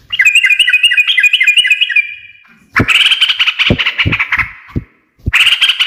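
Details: Sooty-headed bulbul singing in the energetic 'gacor ngekek' style, said to make other birds answer at once: a bright warbled phrase fading out, then a burst of rapid chattering notes broken by a pause and a final outburst.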